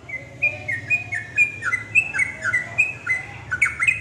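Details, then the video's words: Yellow-vented bulbul song used to provoke other bulbuls into singing: steady series of short, bright, downslurred notes about four per second, with a low hum running underneath. "respon cepat untuk Trucuk bahan macet langsung terpancing nyaut ikut nropel"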